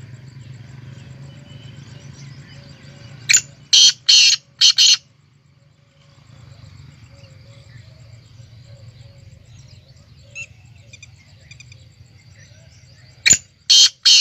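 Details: ['Black francolin (kala teetar) giving its call: a harsh, scratchy phrase of four to five rasping notes, silence with faint far-off chirps, then the grating phrase starts again at the end.']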